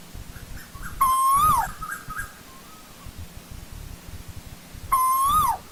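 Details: Two loud ascending whistled calls of an Asian koel in old-growth forest, about four seconds apart, each closing with a sharp fall, with a few soft trailing notes after the first.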